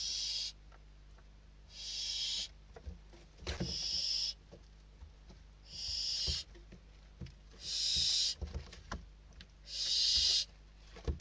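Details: Hungry barn owl chicks inside a Spanish nest competing for a delivered bird, December 2023, the oldest chick winning; six rasping hiss bursts roughly every 1.5–2 seconds, with scratching and scuffling between.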